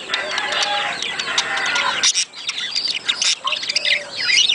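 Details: Budgerigars in a breeding-stimulation recording: dense, busy warbling chatter, a short pause, then looping whistled squeaks and chirps.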